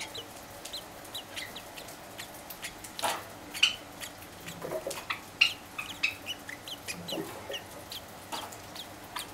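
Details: In the morning, two sakura Java sparrow chicks aged six and four days beg for food with thin, high cheeps in irregular bursts, about one every two seconds, along with louder knocks and handling noises.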